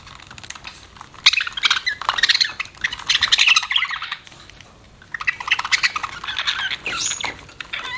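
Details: Budgerigars keep up a busy, scratchy twittering with squawks, easing briefly midway before the chatter picks up again.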